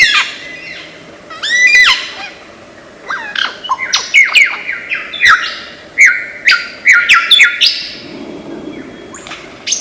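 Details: Lyrebird of Australian forest, renowned for copying many sounds, pouring out a rich jumble of loud sweeping whistles, rapid downslurs and chattering phrases in quick succession, with brief pauses.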